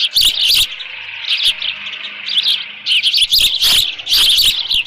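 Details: Osprey nest at Dunrovin Ranch, 13 June 2018, about 11:37 AM, leftover fish present. Intense, high whistled chirps pour out in dense, almost continuous bursts separated by short gaps.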